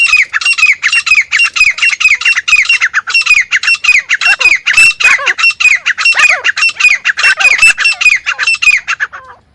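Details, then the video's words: Partridge (teetar) giving loud, harsh, squawking calls in a rapid, unbroken series, bright and grating, used as a hunting call, with no other sounds noticeable. "Teetar Sound"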